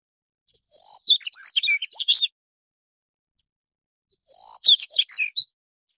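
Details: Two phrases from a Daurian redstart, roughly three and a half seconds apart. A soft pip and a piercing, level whistle lead each into a short flurry of scratchy, jumbled twittering. Nothing else is heard.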